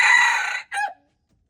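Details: Tail end of a red junglefowl crow, February 13, 2025: a long, strained, harsh note fading away, followed by one short dropping syllable, then silence.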